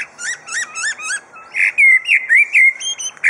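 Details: Superb lyrebird kept at Adelaide Zoo imitating other sounds: five quick rising-and-falling whistled phrases, then a short pause and a string of louder, clear, slurred whistles repeated about four times a second.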